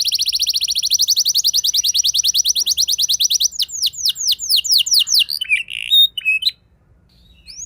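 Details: Canary song with luxurious rolling, used as a lure to provoke other canaries into singing. A fast, even high trill of rapid repeated notes gives way to slower, downward-slurred whistles, then a few short buzzy notes before falling silent.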